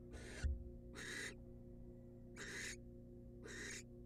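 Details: Hoarse, noisy rasping screeches from a wild female barn owl at a nest box as the male brings her a rat, four bursts about a second apart, a low hum and a brief thump underneath.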